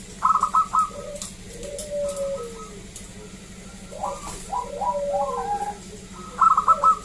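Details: Local zebra dove song used to draw other zebra doves into singing; short bursts of quick stuttered coos at the start and end, with lower drawn-out cooing and soft room noise between.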